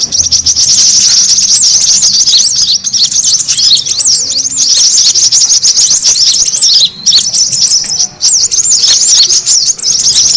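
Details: Lure recording of brown-throated sunbird, played to attract other birds: sustained, crowded high chirping with rapid looping notes, broken by two short gaps near seven and eight seconds.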